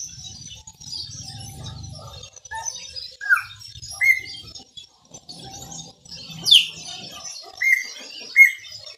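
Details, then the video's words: Chopi blackbird singing in the Maranhãozinho style: sparse, clear whistled notes, short upward-flicked whistles, and one loud, sharp descending whistle midway, with faint high chirps between phrases and a low rumble near the start. "PÁSSARO PRETO MARANHÃOZINHO CANTA MUITO"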